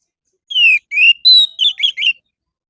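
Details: Morning lure of orange-headed thrush song for captive birds: a descending whistle, a rising slurred note, a high steady note, then three quick wavering notes, clean recording.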